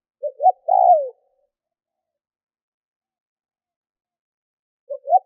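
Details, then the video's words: Spotted dove used as a decoy for wild birds: one full phrase of two clipped notes and a long descending coo, then a long silence. The next phrase starts at the very end. "CU GÁY MỒI THÚC GÙ KÍCH BỔI NHANH NỔI - TIẾNG CHIM CU GÁY KÍCH BỔI"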